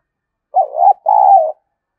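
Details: Decoy spotted dove calling to stimulate rival doves, one clean two-part coo: a quick warbling first note, then a sustained, smooth, gently descending second note in a quiet setting.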